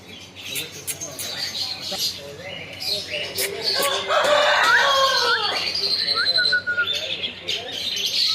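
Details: Talking parrot giving a dense, busy run of harsh squawky notes that rise and fall in quick succession, loudest in the middle, with wing flapping and a person's voice around it.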